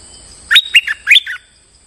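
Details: Lure bulbul delivers one rapid phrase of five loud, buzzy chirps, the notes swooping up and down, followed by quiet, over a faint constant hiss.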